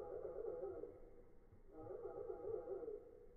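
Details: Sogon bird on a mountain, recorded while luring it in: two low, hollow, hooting notes, each about a second long and a short pause apart, over a faint background hum; sogon bird.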